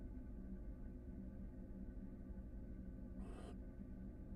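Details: Florida barn owls, a nesting pair readying a second brood with the female in the nest box and the male perched close outside; a single brief rasping hiss rises from constant low hum near the end.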